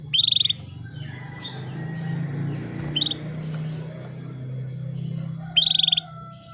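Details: Female Atlantic canary calling to a male to trigger breeding: rapid pulsed high trills open and close the stretch, with a short chirp between, over a droning low hum and a constant high whine.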